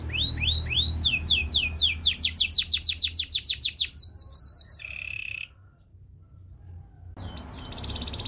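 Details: Belgian singing canary, said to attract other canaries, performing a song of rapid repeated tours: rising chirps, then a fast series of sweeping down-slurred notes, a buzzy low roll, a pause, then a high trill.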